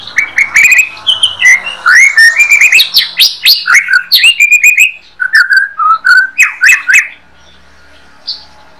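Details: Master song of a white-rumped shama used to train other songbirds: a loud, fast run of varied whistled notes and sharp upswept chirps, rich and tumbling for seven seconds, then silence with one last faint note.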